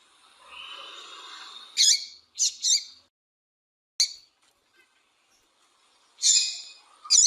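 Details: Female Double-collared seedeater calls meant to stir up males for singing contests: bright, high chirps, some doubled, arriving in short clusters with pauses between, after a stretch of soft background hum.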